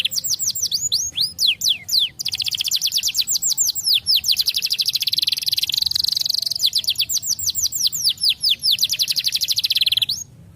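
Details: Canary singing as a tutor for young canaries: rapid high trills of repeated sweeping notes, shifting between steep falling chirps and dense rolling runs, sustained for about ten seconds before stopping abruptly.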